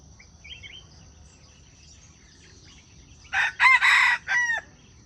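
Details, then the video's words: Junglefowl crowing, used to draw wild chickens toward traps: after faint chirps from small birds, a sudden loud hoarse crow of four parts ending in a drawn-out downward note, with steady insect hum behind. "Wild chicken traps are fascinated by the sound of chickens crowing."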